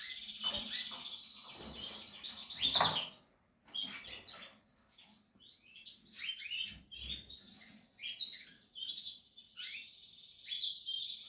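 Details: Portuguese harlequin canary in the nesting period: a high trill opens, then clattering rustles and a short silence, then upward-sweeping chirps and twitters.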